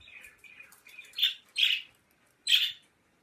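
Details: Pet birds at home, soft twittering at first, then three loud harsh chirps in quick succession, each a short bright burst followed by silence.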